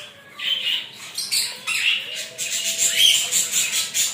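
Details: Rainbow lorikeet under a shower, chattering with short grating squawks and high shrill notes amid continuous hissing water noise.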